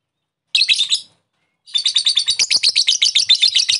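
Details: Lovebird lure call for provoking a rival lovebird to ngekek: a brief shrill burst, a one-second pause, then a fast, scratchy, high-pitched chatter of rapid repeated notes to the end.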